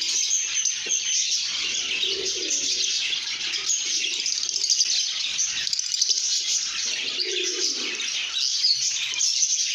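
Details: Lovebirds in a happy, good mood, singing and chirping: a dense, continuous wash of high, shrill chirps and twitters from many birds, steady throughout with no pauses.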